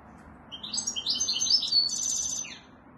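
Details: European goldfinch singing: a quick run of high, bright twittering notes with tinkling trills lasting about two seconds, over a faint low background hum.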